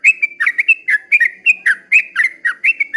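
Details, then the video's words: Dawn song of a yellow-vented bulbul in 'ropel panjang' style: quick, liquid warbled notes, some upward-flicked and some downslurred, following closely one after another. "kicau suara trucukan ropel panjang di waktu fajar"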